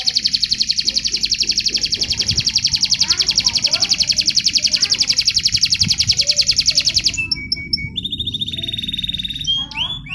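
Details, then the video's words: Contest training song of a canary, opening with a long, loud, very rapid trill pulsing steadily, then shifting to short clipped notes and a flatter whistled trill, over soft low background noise. "Materi Suara Kenari Lomba"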